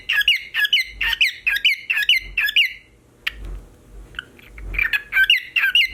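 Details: A male pet cockatiel whistles a rapid, looping series of shrill notes, mimicking a car alarm.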